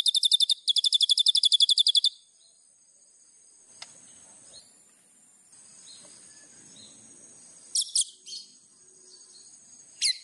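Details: White-rumped shama master song for training birds, rich in fill phrases: a fast, high, rattling trill for two seconds, then mostly quiet background with a few brief high notes.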